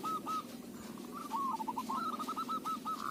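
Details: Local zebra dove, voice suited as a lure: a soft, stuttering phrase of cooing notes rising slightly toward the end, set against a hissy, noisy background.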